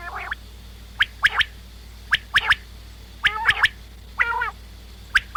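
Common quail giving sharp, clipped notes in quick bursts of two or three, mixed with a few harsher, nasal calls, over a steady low hum.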